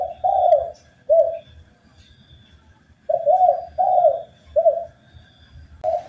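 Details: Spotted dove song used as a master recording for training birds: soft low coos, several rounded phrases in quick succession with short pauses, over a faint low rumble.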